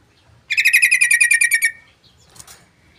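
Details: Sooty-headed bulbul giving a fast rattling trill of about twelve sharp, ringing notes over roughly a second, ending in a short drawn-out tail, followed by a faint rustle.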